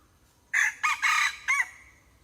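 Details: A hybrid red junglefowl gives a brisk crow of four hoarse syllables within about a second. The third note is longest, and the final note drops at its end. The crow rises from a faint, quiet background.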